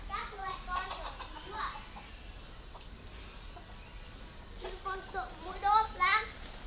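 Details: Chinese francolin kept as a decoy bird in northern Vietnam, giving a series of short harsh rhythmic notes in two bursts, louder toward the end, over steady background noise.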